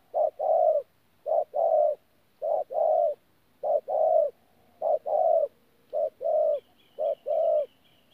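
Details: Spotted dove at Tu Mơ Rông, 14 January 2019, a local decoy bird cooing in 'pha gù' style: deep two-part coos, brief then longer, repeated evenly; faint high chirps of another small bird join near the end.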